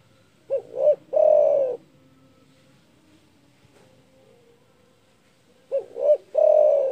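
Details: Loud spotted dove, a keen caller said to rile rivals, giving two identical phrases about five seconds apart: two brief rising hoots then a long sustained coo, in otherwise quiet surroundings.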